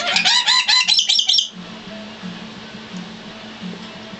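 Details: An adult female black lory, adopted at age five and in her cage, gives a rapid burst of harsh, high, chattering squawks for about a second and a half, then stops; faint hum remains.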